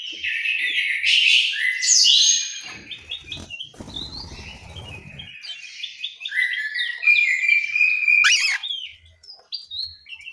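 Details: Orange-headed thrush song from an aviary in Malang, East Java: loud, varied warbled phrases, a brief rustling noise in the middle, then a longer stream of higher, twittering notes and a sharp ending phrase.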